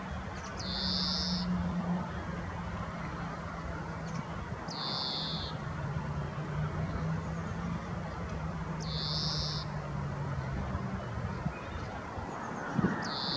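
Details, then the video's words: A European greenfinch calling in Nelson Mandelapark, Amsterdam, Netherlands, on 5 April 2023 gives four drawn-out, buzzy wheezes, one about every four seconds, over a steady low rumble of traffic. "Roepende Groenling/European Greenfinch calling"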